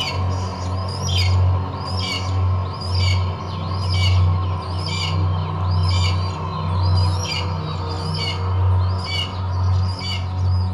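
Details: A red-tailed hawk of a breeding pair that includes a leucistic female gives short, high, slightly slurred calls about once a second, over a steady low rumble of wind or mechanical noise.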